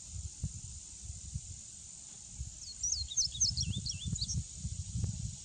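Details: Male Indigo Bunting delivering one quick song of high, sharp paired notes with downward and upward slurs, about two seconds long, over an unbroken high-pitched insect chorus and low background rumble.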